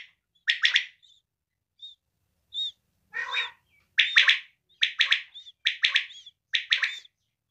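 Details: A female quail gives a series of brisk triple-note calls with short thin whistled notes between them. Midway a lower, rougher buzzy call breaks the run, then the triplets resume at about one-second spacing.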